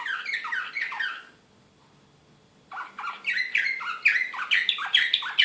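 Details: Belgrade 2016 Serbian singer canary, excited, singing falling chirped notes, pausing about a second and a half, then returning with louder rapid trills and sharp bright accents.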